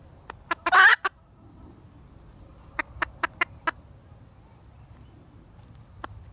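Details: Female red junglefowl calling for a mate: a few clucks leading into a brief harsh squawk, a pause, then a quick burst of five dry clucks and one last cluck, with a faint steady high tone throughout.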